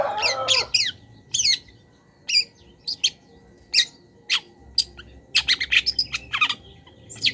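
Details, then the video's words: Long-tailed shrike song used as a master recording for training cage birds, full of mimicked wild bird phrases: a low warbled start, then sharp scratchy bursts and squeaky chirps in irregular clusters, with a faint steady whistle tone. "PENTET GACOR - MASTERAN PENTET FULL ISIAN BURUNG LIAR"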